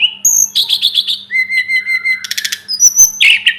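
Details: A Sunda robin's song opens with a clear whistle, then a pulsed stutter of quick notes, a long level whistle, a buzzy rattle, and finally a thin high note and a fuller chirp.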